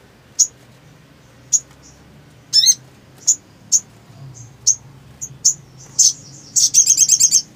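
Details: Black sunbird (sogon) singing: isolated piercing chirps roughly once a second, a short slurred twitter, and a closing rapid rattle of around eight high, clipped notes.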